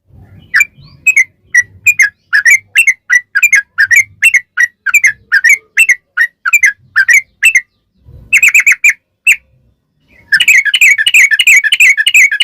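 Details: Sooty-headed bulbul singing as a lure for other bulbuls: spaced bubbly whistled notes for about seven seconds, a short burst and pause, then a dense rapid buzzy trill at the end, with faint low rumbling underneath.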